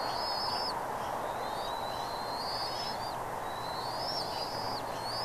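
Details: Bald eagle recorded at Redding on 17 April 2021, 08:15 in the morning. Drawn-out, piping high whistles rise slowly and then drop sharply, in a series of three. Continuous broad background hiss is heard throughout.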